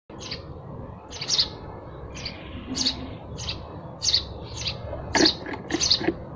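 A sparrow gives bright, sharp chirps, one or two every second, some doubled, over a soft steady background hiss.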